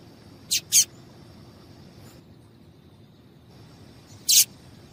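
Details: Female double-collared seedeater giving brief sharp chirps, a call used to stir males to sing in contests: a quick pair of high notes, a long silence, then one louder chirp.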